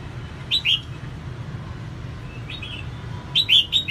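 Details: Female red-whiskered bulbul song meant to fire up males: a pair of bright slurred whistles, a faint note, then a phrase of three quick chirpy whistles, with low background hum throughout.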